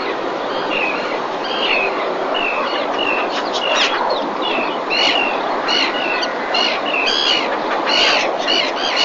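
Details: Breeding-season common terns in 2021 at Marismas Negras, Astillero, Cantabria, Spain, captured by a nest webcam while a fish is delivered to the mother. Short, rasping calls come in quick series, some overlapping, above constant background noise.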